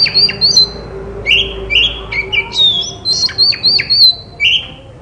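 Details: White-rumped shama song used as therapy to prompt silent shamas to answer and sing: varied whistled notes and sharp chirps, some rising and falling, in quick phrases over low steady background hum.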